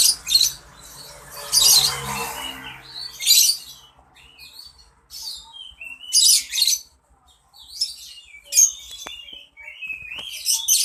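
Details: Caged songbird singing: bursts of bright high chirps and short whistled slurred notes in clusters every second or two, separated by quiet gaps, with some rustling noise at the start.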